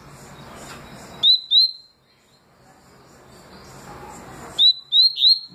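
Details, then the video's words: Double-collared seedeater singing the tui tui and deputado songs: two sweet rising whistles, about three seconds of soft hiss, then three more quick upslurred notes. "Papa capim tui tui canto e deputado canto"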